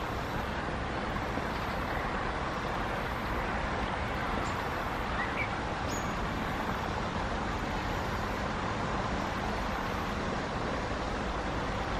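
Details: Steady road traffic rumbles throughout, with no clear animal voice.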